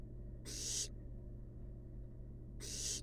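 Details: Fluffy wild barn owl chicks resting in a research nest box: two loud, rasping, noisy hisses about two seconds apart, with a constant low electrical hum underneath.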